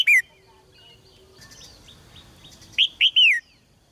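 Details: Red-whiskered bulbul kept caged, singing to provoke males: a single bright falling whistle, a pause with soft twitters, then three loud slurred whistled notes dropping in pitch.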